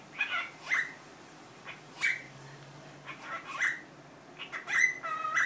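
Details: Indoor pet cockatiel repeating its newly learned Korean greeting: clipped, bright syllables with a steady whistled tone, scattered unevenly, some paired and some single, ending in a faster cluster of notes.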